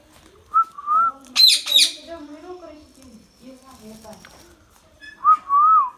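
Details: Talking Indian ringneck parakeet: a clear whistled phrase, two harsh screeches, then a run of low, speech-like mimicked syllables, finishing on another smooth whistled note.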